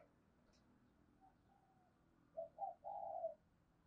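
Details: Female spotted dove call for getting males to coo, fairly distant over steady background hiss: two quick low coos followed by one longer level coo.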